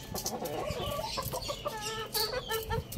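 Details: Young roosters playing on a roof, giving drawn-out, strained crowing notes with stacked harmonics, several rising and falling tones strung together over a steady noisy background.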